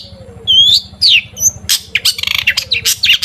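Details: Long-tailed shrike song used to coax shrikes into singing, with clear falling and rising whistled slurs followed by a dense burst of harsh rapid chattering, and a low background hum.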